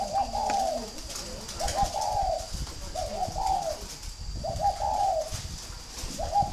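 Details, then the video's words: Spotted dove from northern Vietnam, kept at a breeding farm in Ba Vì, Hanoi, giving mellow, low, hoarse coo phrases that repeat about every 1.3 seconds, each a short burst of rough notes, with faint background noise. "chim cu gáy hay miền bắc"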